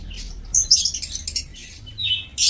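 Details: Short, piercing chirps and twittering from aviary lovebirds on 7 June 2024, tumbling together quickly before a final sharp squawk.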